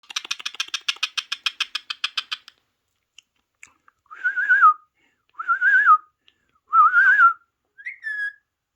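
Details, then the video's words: A pet parrot, kept indoors and watching parrot videos on a mobile phone, gives a fast train of about twenty sharp clicking pulses, then three warbling, speech-like whistled phrases and a short rising note. "Best Trending Parrot Talking"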